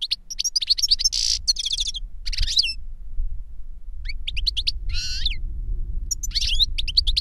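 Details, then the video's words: Older goldfinch singing for a younger goldfinch: a long, lively medley of sharp twitters, a loud buzzy trill, tinkling slurs, a pause, then more chirps and a harsh wheeze, with steady low rumble. "Older GOLDFINCH SINGING to Teach Younger Goldfinch"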